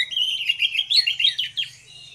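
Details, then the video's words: Anis merah pair singing ngeplong to draw other birds into song: a short, continuous rippling warble of mid-high whistled notes that wavers up and down, then trails off. "DUO ANIS MERAH NGEPLONG GACOR, PANCINGAN ANIS MERAH BIAR BUNYI"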